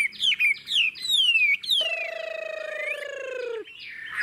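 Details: Chinese hwamei with a forest-type ngũ trường voice: several clear descending whistles, then a long, steady, nasal drawn-out tone lasting nearly two seconds before a short closing note.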